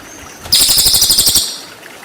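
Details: Cililin 'tembakan' burst for training white-rumped shama: a single sharp, rapid buzzy trill of high pulses lasting about one second, preceded by a thin whistle.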